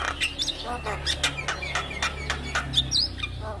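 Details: Javan myna song used to coax silent mynas into singing. It is a busy run of harsh chatters, squeaks and sharp whistled notes in rapid succession, with a low steady hum underneath.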